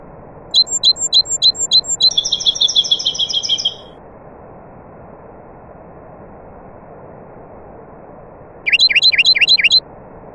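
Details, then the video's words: Nightingale in song alongside other birds: a fast string of repeated chirps turns into a long buzzy trill, a pause of several seconds, then another rapid run of repeated swooping notes; steady hiss throughout. "طائر العندليب الحسنية وطيور أخرى Taghreed nightingale bird and other birds"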